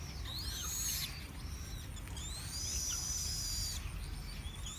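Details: Chinese blackbird singing: clear, high whistled phrases that sweep up and then glide down. Two long phrases are split by a short pause, and a steady low rumble of background noise runs underneath.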